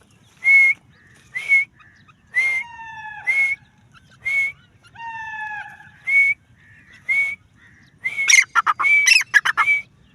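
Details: Spaced, high rising whistles from a female grey francolin (teetar) repeat every second or so, some joined by longer falling slurred notes, ending in a dense burst of harsh chattering.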